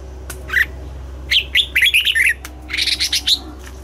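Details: Morning singing by a red-whiskered bulbul trained for a double-note song: a brief note, then a fluid string of slurred whistles, followed by a faster buzzy chattering run, over a low background hum.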